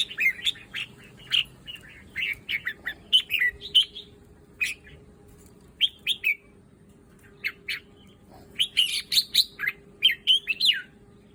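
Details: Red-whiskered bulbul in a breeder's collection gives separate clusters of sharp chirps and quick warbled notes, with pauses of one to two seconds between bursts and a denser flurry near the end. A soft hum stays in the background.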